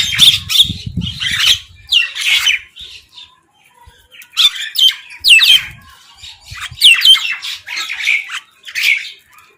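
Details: Harsh, raspy squawks from crows fighting for food come in separate bursts of two or three calls, with short quiet gaps between them and some low scuffling near the start.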